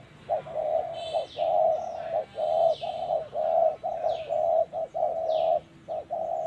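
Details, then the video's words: Close spotted dove at a decoy trap, voice in 'thổ' style. The coo notes run almost without pause, long and short hollow hoots, about one each second. Faint high down-slurred whistles of other birds come through now and then. "Bẫy Chim Cu Gáy Đất Hay | Gáy Giọng Thổ Cực Hay"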